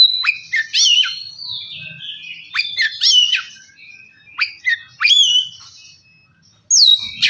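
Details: Oriental magpie-robin lure song to make a silent bird sing and get excited: clusters of sharp, downslurred whistles and chirps in short bursts, with pauses between phrases and a final clear upslurred note.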